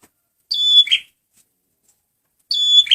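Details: Lure recording of a male red prinia (prenjak merah): two phrases, each a ringing high whistle that drops into a short scratchy buzz, about two seconds apart in quiet surroundings.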